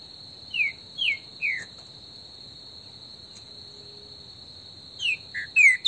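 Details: Green-winged saltator (trinca-ferro) in the bush, an esquenta warm-up recording: three clear whistled notes sliding downward in quick succession, then a pause and a second burst of falling whistles, over a steady high insect drone.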